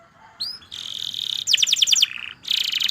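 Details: A Belgian canary sings bright, high trills: a buzzy sustained phrase, a fast series of repeated sweeping notes, then another rolling trill, as a training song for young canaries learning to sing. Belgian canary.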